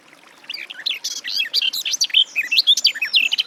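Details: Song of the garden warbler starting softly then swelling into a brisk, bubbling run of varied warbled notes.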